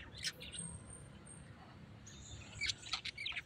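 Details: A tame pet parrot makes short, harsh squawks and high chirps, a brief cluster at the start and a denser, louder flurry near the end, over steady low rumble.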